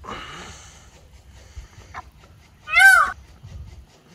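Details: Peacock letting out one strong, harsh wailing note late in the recording, preceded by softer murmuring sounds and a faint tap.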